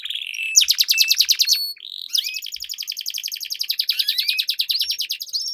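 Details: Canary song used as a lure for training competition birds, a long rolling duel: rapid trills of repeated high chirps, then a sustained run of fast notes with rising whistled slides.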